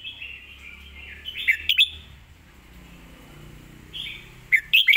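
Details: Red-whiskered bulbul, caged, known for clear phrasing and a quick voice; whistled phrase with sharp chirps, a quieter stretch, then another whistle ending in rapid chirping.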